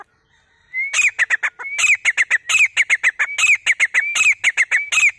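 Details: Grey francolin calling after a brief silence: loud, shrill, rapidly repeated notes mixing rising whistled slurs with harsh, clipped syllables, delivered in a fast, uneven series that continues to the end.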